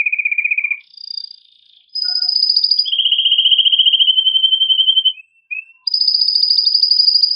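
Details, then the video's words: Forceful, excited male canary song given to stimulate mating in female and male canaries: a low roll, higher tours and a long steady middle trill, two short slurred notes, then a high roll again. "تغريد هائج قوي لذكر كناري من أجل تحفيز أنثى وذكر الكناري على التزاوج"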